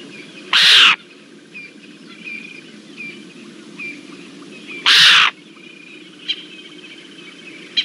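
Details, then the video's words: A Lilac-breasted Roller at Naledi Cat-EYE on 1 September 2023 gives two loud, harsh, rasping squawks about four seconds apart, with faint chirps of other birds in the background. "Shouty Lilac-breasted Roller"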